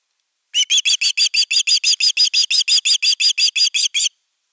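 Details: ['Nest-defending Osprey at camera #3, 31 August 2021, giving an unbroken string of about eighteen loud, shrill notes in quick, even succession over three and a half seconds.']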